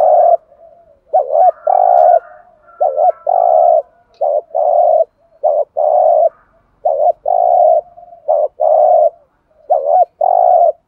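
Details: Spotted dove used as a decoy, delivering a steady run of 'thúc gù' provoking calls: about eight phrases, each a brief wobbling coo followed by a held buzzy coo, coming every second or so with no other sounds.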